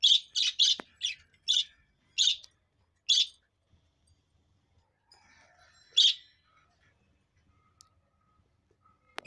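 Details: Budgerigars enjoying themselves give a quick series of harsh, high chirps, then a pause and one more chirp.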